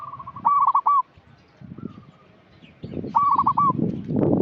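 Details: Local Indonesian zebra dove in full voice, used as a lure to prompt young untrained doves to sing: two loud stuttering coo phrases of rapid clipped notes ending in a drawn-out coo, a faint coo between, rustling and low background noise.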